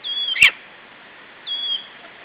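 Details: Wood warbler's monotonous calling at 9:07 am on 4 June 2012, with lesser spotted eagles nearby: two clear, high piping whistles, each slightly falling and about a second apart, with one sharp click between them.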